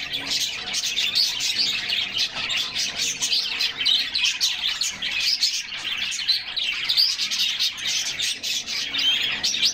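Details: Canaries singing together while bathing in summer, producing a continuous, pulsing mass of high chirps and rapid trills that swells and eases in waves.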